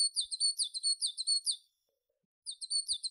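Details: A tit singing a very high, thin phrase of quick repeated chirping notes, about a dozen in a row. It pauses for under a second, then starts the same rapid series again. The setting is otherwise silent.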